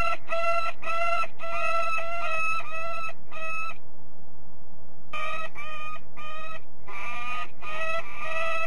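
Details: Peregrine falcon (Falco peregrinus) at De Mortel, Netherlands, giving harsh, nasal, harmonic notes in quick runs of about six, two runs separated by a short pause, over a low rumble of wind.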